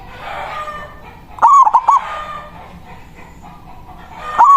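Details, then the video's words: Local zebra dove singing manggung to call a rival. One full phrase of quick, throaty, stuttering coos, then the start of another at the end, over a noisy, rustling background. "Perkutut lokal Suara Besar Ampuh memanggil lawan Bunyi manggung Langsung Nyaut"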